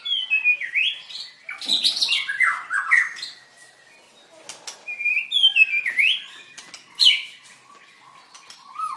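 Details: A white-rumped shama at a bird singing contest on 7/25/16 sings excitedly. It repeats descending whistled phrases in bursts, with sharp clicks and chirps between them. A quieter pause comes midway.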